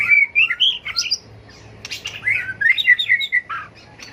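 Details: White-rumped shama in competitive fighting song, used in training birds to sing in contests: varied whistled phrases, sliding notes and rapid warbles, some sharp clicks, pausing briefly midway.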